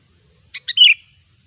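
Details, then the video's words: Single brief phrase from a wild sooty-headed bulbul: two quick clipped notes leading into a short liquid, falling warble, in quiet surroundings. "suara burung kutilang ASLI ALAM LIAR"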